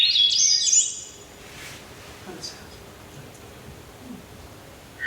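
Swainson's Thrush giving a brief burst of high, fluty, upward-spiraling notes, then fading into a quiet room hiss.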